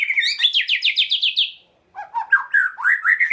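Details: Rapid, rich White-rumped shama song aimed at provoking emotion: a fast trill of repeated notes, a short silence, then a varied phrase of rising and falling slurred whistles.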